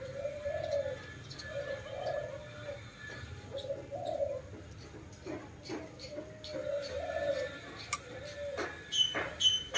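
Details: Dove cooing in a low, soft series of rounded notes, each coo swelling then fading, with scattered clicks and knocks in the background.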